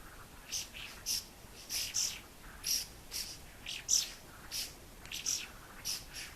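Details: White-browed laughingthrush calling around a house: short, bright, high chirped notes in loose series, roughly one every half second, with some doubled notes and a soft hiss of background noise.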